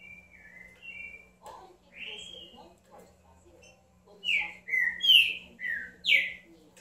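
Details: Green-winged saltator giving a few soft, separate whistles, then a loud burst of five clear whistled notes that slur downward, rapidly delivered over two seconds; a faint low hum runs throughout.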